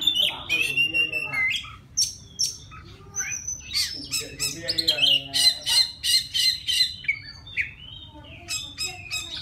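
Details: White-rumped shama from the forest, singing to attract a female. A varied song of loud whistled slurs opens it, then a rapid series of harsh, buzzy repeated notes, then more fluty phrases with crisp clicks.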